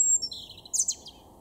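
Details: European robin in a garden in Weener, East Frisia, Germany, April 2021: a piercing pure high whistle, a brief lower warbled run, then a quick burst of bright, squeaky trilled notes.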